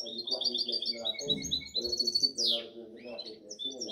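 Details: European goldfinch hybrid, seven months old, bred 2019–2020, delivering quick high twitters and trilled phrases with one sharp descending sweep midway; a man's Arabic speech runs steadily underneath.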